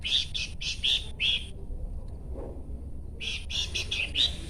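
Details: Horsfield's babbler delivering quick runs of sharp, high chirps in two bursts separated by a pause of nearly two seconds, over steady low background rumble.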